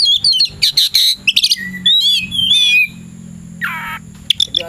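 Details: Oriental magpie-robin readying to challenge an opponent, afternoon: clear high whistled phrases mixed with buzzy chattering bursts, a pause, then a harsh rasping note and a few sharp chirps.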